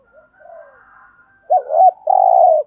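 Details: Lure spotted dove cooing so that wild doves answer. Faint soft notes lead into a loud wavering double note and a long sustained low coo.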